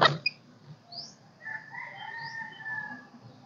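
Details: Golden-crested myna in kích bổi song, giving an opening sharp click, then a few thin high whistles and long, level, smooth whistled notes, over faint low background hum.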